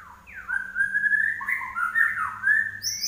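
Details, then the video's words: Common iora singing 'gacor': a string of clear, slurred whistles that rise and fall in a steady mid-pitched run, with a faint high chirp at the close. "larwo Gacor"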